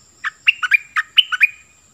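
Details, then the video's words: Caged decoy Cream-vented bulbul in excited song: one rapid bubbling phrase of seven or eight liquid notes jumping between lower and higher pitches, ending in a faint drawn-out whistle. "Burung merbah lekir gacorbahanan"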